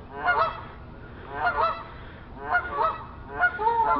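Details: On a neighbour's roof, geese out for a stroll honk in four separate bouts, each a quick cluster of two or three reedy, nasal honks, with quiet gaps between them.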